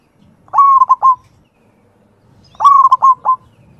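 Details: Perkutut lokal, the local zebra dove, singing its manggung rhythm. Two identical phrases about two seconds apart, each a deep, mellow coo followed by quick rolled notes and a final sustained coo. The background is quiet.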